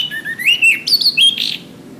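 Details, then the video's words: Orange-headed thrush song for training caged birds: a continuous run of bright whistles climbing in pitch, with quick warbling slides and a buzzy burst near the close. "Suara Anis kembang"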